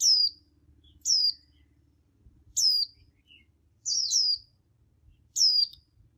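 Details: White-eyes calling to each other, used to get caged birds singing; five separate high, thin notes that slide downward, spaced about one to one and a half seconds apart, one doubled, over a quiet background.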